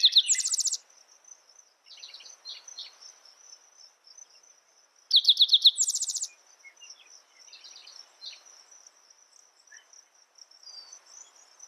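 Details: Spotted towhee singing in the morning: two loud phrases about five seconds apart, each a quick run of sharp notes leading into a dry buzzy trill, with softer chips between them over a steady high insect drone.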